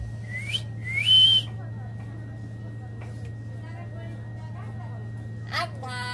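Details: Talking common hill myna linked to the Tongi bird market in Bangladesh, giving two clear rising whistles a half second apart, the second ending in a level held note, then low room hum and faint clicks.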